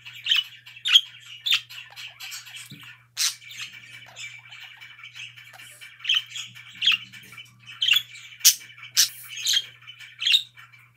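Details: Budgerigars chirping happily, likely several pet birds together: bright, scratchy chirps and squawky notes in irregular bursts, with a steady low hum beneath.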